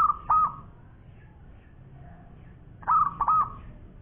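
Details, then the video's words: Local zebra dove (perkutut lokal), a champion bird in full song with a long-voice style. Two cooing phrases, each of three clipped notes ending in a drawn-out, level coo, about three seconds apart over faint background hum. "Bunyi Perkutut Lokal Gacor Suara Panjang Juara"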